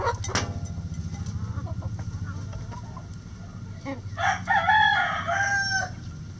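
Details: Backyard chickens: a sharp squawk at the start and soft scattered clucks, then a loud, rough crow of nearly two seconds near the end, over a steady low hum.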